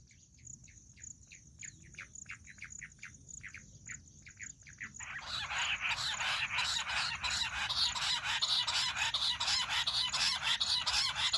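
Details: Jungle bush quail, a recording used as a hunting call: sparse short chirps at first, then a sudden loud, dense chattering chorus of many overlapping calls, with a thin steady high whine in the background.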